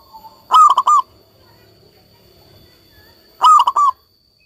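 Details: Local zebra dove in full voice, used to coax silent doves back into song. It gives two loud, rolling coo phrases about three seconds apart, each a burst of four quick throaty pulses, with a quiet pause between.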